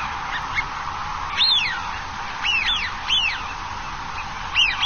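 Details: A flock of wintering Eurasian wigeons (Mareca penelope) on the shore of Dapeng Bay, recorded 26 November 2018, give clear, arched 'wheeoo' whistles, rising then falling, several overlapping from more than one bird, over a steady background hiss.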